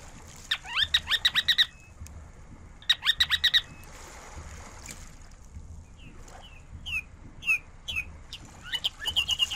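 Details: Ruddy turnstone chattering: two quick, rattling bursts of sharp, high chatter, then a run of single downslurred notes about every half second before chattering again.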